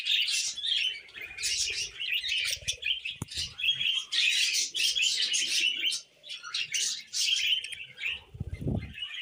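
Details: Tamed budgerigars warble nonstop, with rapid squeaky chirps, scratchy trills and short whistles running in bursts, a brief lull near the middle, and a low rustle or thump near the end.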